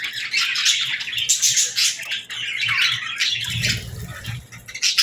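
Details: Budgerigars with lovebirds at feeding time, chattering nonstop: dense high twittering and rapid chirps throughout, with a few low bumps near the end.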